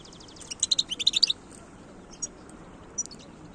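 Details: Wild European goldfinch singing in 2022: a quick burst of bright, tinkling high twitters for under a second, then a few isolated faint chirps over a steady low background hiss.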